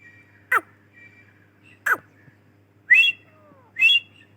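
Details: Calls of a female grey francolin, the Dakhni teetar: short sharp falling whistles alternating with thin level whistles, then two stronger rising whistled notes about a second apart, over a steady low hum.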